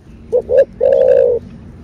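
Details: Spotted dove, the 'thổ bầu' voice style, cooing to stir up caged birds: a short coo, a rising coo, then a long sustained low coo lasting about half a second, clear against faint background hiss.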